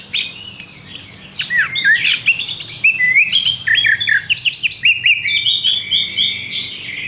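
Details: A caged Horsfield's bush lark, hung up straight away, sings loud, clear whistled notes, slurred downward at first, then a long sequence of quick, evenly spaced chirps and rising whistles running steadily.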